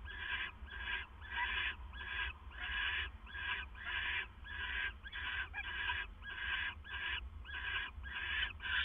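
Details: Owl at 2:32 AM, 25 September 2015, during a male's food delivery to his mate: a continuous series of rough, hissing screeches, about one each second, with a constant low electrical hum behind.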